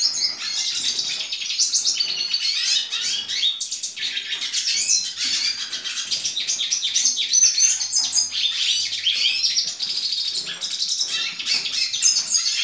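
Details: A hooded siskin, hatched in April 2019 and recorded that season, sings a long, unbroken, rambling stream of high, rapid twitters and thin buzzy trills, with only brief pauses.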